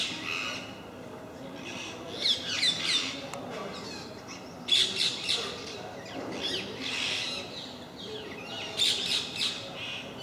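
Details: Regular parakeet visitors at MK park, a group creating a racket: dense, overlapping grating squawks and chatter, with loud screechy peaks near two, five and nine seconds from several birds at once.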